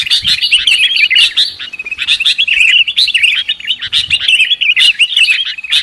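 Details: Lure call of the sooty-headed bulbul, used for trapping: continuous busy chorus of short twittering and bubbly notes that rise and fall, packed tightly together throughout.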